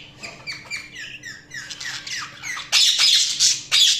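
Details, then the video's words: Budgies chirping: a quick series of soft descending whistled chirps, then louder harsh, grating squawks in two dense bursts; faint low hum in the background. "Budgies Sounds| Budgies Chirping sound"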